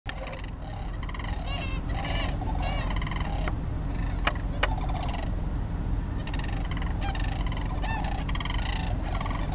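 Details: Sandhill cranes near Shillapoo Wildlife Recreation Area, Washington, give rolling, trumpeting calls in a busy chorus of overlapping voices, with a steady low rumble of wind or traffic underneath.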